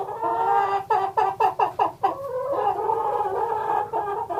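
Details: Hen clucking: a tonal drawn call broken by a quick run of sharp clucks, then a sustained, wavering harmonic note.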